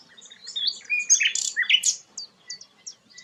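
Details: Rare sikatan londo singing a jumble of quick, slurred high notes and sharp upward sweeps, followed by a few spaced, softer chips.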